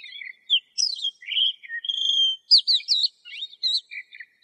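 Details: Lark song mixing a steady drawn-out whistle, downward slurs and bright repeated chirps, separated by short silences.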